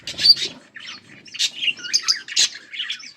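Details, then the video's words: A pet budgerigar pair producing rapid, scratchy warbling chatter, with quick high chirps and brief squawky notes following one another with hardly a pause. "Budgies full masti"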